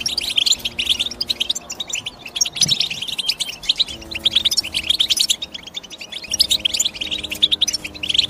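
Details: Continuous bright, high twittering from European goldfinches, quick tinkling chirps running in uneven bursts, with faint low sustained tones in the background throughout.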